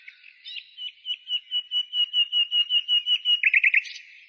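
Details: Spring bird song outside the city, 15 May 2017: a long, even series of about fifteen clear, loud whistled notes, speeding into a short rapid stutter and a high final flourish.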